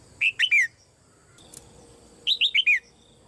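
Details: Caged female red-whiskered bulbul whose calls are meant to prompt other birds to sing loudly; two bright phrases of three to four sliding whistled notes, separated by a short quiet gap.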